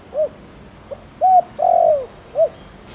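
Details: Thổ Đồng style spotted dove call, meant to prompt other doves to answer. A soft arched coo and a faint pip lead into a clipped note and a long falling croo, followed by another short coo.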